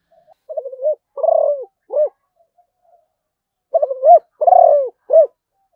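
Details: Zebra dove song in two bursts: a stuttering run of quick notes, a long burry coo, then a short rising-falling note, repeated after a pause.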